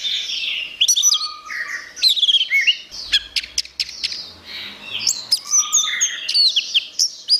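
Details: Orange-headed thrush (anis merah), a masteran recording of continuous gacor singing made for training songbirds: rapid varied phrases of high chirps, sharp clicks and short whistled slides, with bursts of upswept notes and brief pauses between strophes.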